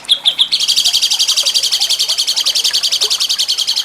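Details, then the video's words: Jengking munting training song of a cucak cungkok for contest birds: three sharp high chips open into a long steady rattle of fast, evenly spaced metallic notes. "MASTERAN CUCAK CUNGKOK JENGKING MUNTING"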